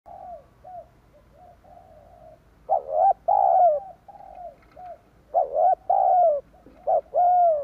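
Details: Spotted dove calls used as a lure to draw wild doves: soft, low coos alternating with louder, rounded, slightly rising-then-falling notes in uneven bursts, with quiet gaps between phrases.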